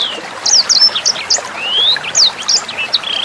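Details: Sanger bird tutor song meant for teaching other songbirds and young sangers, with gurgling water behind: scattered high whistled notes, quick down-slurs and a long rising whistle near the middle, separated by short gaps.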